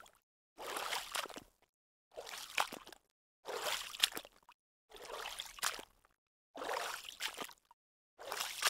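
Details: Water sloshes and splashes in short bursts about every one and a half seconds, separated by silence; no animal voices are heard.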